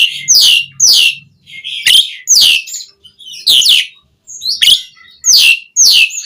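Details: Loud, raspy, down-slurred squeals repeated roughly twice a second from an Asian pied starling, played to stir caged birds into song, with a low buzz at the start.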